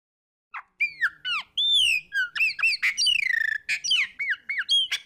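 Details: Chopi blackbird singing the fumaça song style: loud, varied slurred whistles, rising and falling sweeps and short chattering notes in a quick, unbroken phrase.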